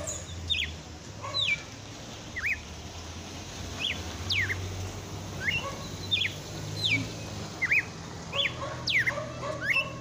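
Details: Red-cowled cardinal singing late in the afternoon, its vigorous delivery called 'açoitando' locally: a steady run of short sliding whistles, falling and rising, repeated roughly every second, over a constant low rumble.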